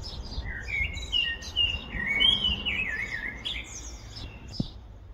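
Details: A male common blackbird's spring song in Vallagarina, Trentino: rich, fluted warbling phrases that run together and end in higher, squeaky twitters, over a quiet low background hum.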